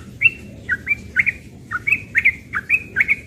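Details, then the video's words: Morning ropel song of a young yellow-vented bulbul: bright, slurred whistled notes, each dipping then rising, delivered in a quick even series of about ten. "Trucukan muda ropel pagi"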